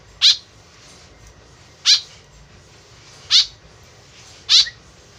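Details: A tame white-breasted woodswallow utters four loud, buzzy, scratchy notes spaced more than a second apart; the call serves as a lure. Faint low noise beneath.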